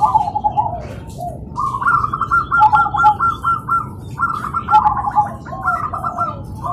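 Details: Several zebra doves singing in the morning, answering one another: fast runs of staccato coo notes and rolling trills, overlapping from different birds, over low background noise.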